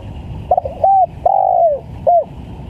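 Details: One full lure phrase of a spotted dove calling vigorously: a few rapid stuttered notes, a short coo, a long gently falling coo, and a brief closing coo, against a soft low rumble.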